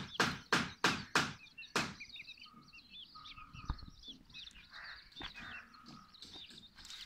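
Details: Five loud sharp knocks open the recording, then young Silkie and Golden Sebright chickens chatter continuously with thin, wavering high peeps, many overlapping, plus a brief steady low tone in the background.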